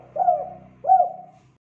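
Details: Vigorous spotted dove singing, recorded to teach young birds: two soft, slightly rising then falling coo notes about half a second apart over a faint low hum.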